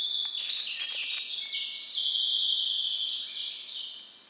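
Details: Captive-bred hybrid sired by a white-rumped seedeater, singing song variant IV: long rolling trills and sustained buzzy notes in high, stepped phrases that shift pitch every half second or so, fading at the end.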